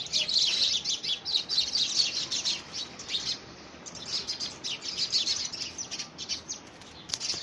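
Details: House sparrows battling over ownership of a homemade nest box, early February 2017; bursts of sharp, high chirps, about two per second, irregularly spaced, loud at first, then fading and rising again.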